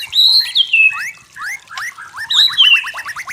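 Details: White-rumped shama (Copsychus malabaricus), a forest shama, sings a rich, varied phrase of clear falling whistles and slurred notes, ending in a quick run of about ten rising chips.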